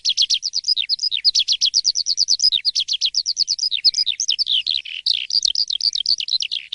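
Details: Jalak suren, the Asian pied starling, in morning song: a quick, even train of short squeaky chirps about three per second, broken by brief whistled slurs, with no other sounds.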